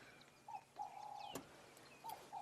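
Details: A Black-headed oriole, one of several in a thicket on a dull grey afternoon in the Sabi Sands, gives liquid, fluty whistles: a short note, a long level whistle, then two brief notes; faint higher bird calls and a sharp click behind.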